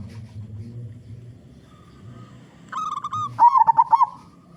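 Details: Local zebra dove, loud-voiced, recorded as a lure for other zebra doves; after faint low rumbling, one cooing phrase of quick staccato notes starts as a level run and ends in rapid bubbling rolls.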